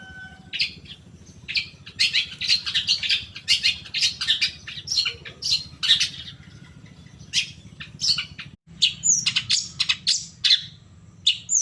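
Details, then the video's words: Long-tailed shrike stimulus song to make caged birds sing: varied harsh, scratchy phrases and squawk-like notes delivered irregularly, with a short cut near the end. "pancingan cendet PAGI SIANG SORE pancingan khusus buat cendet bahan agar cepat nyaut emosi ikt bunyi"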